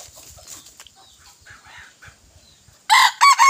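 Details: Young male decoy junglefowl from 21 May 2023 suddenly bursts into a loud, rasping crow near the end, cut off abruptly. It follows quiet rustling and faint distant bird calls.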